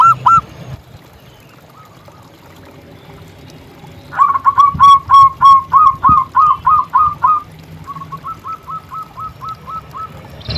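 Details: A local zebra dove in energetic song gives a short coo, a faint phrase, then a loud steady run of a dozen hooked, ringing notes, followed by a softer distant series.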